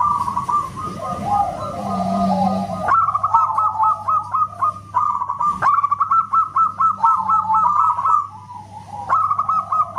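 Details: Local zebra dove delivering loud whistle-like song: blurred warbling cooing, then long quick runs of clipped, evenly repeated coos interrupted by a sharp knock, pausing and resuming; constant low hum.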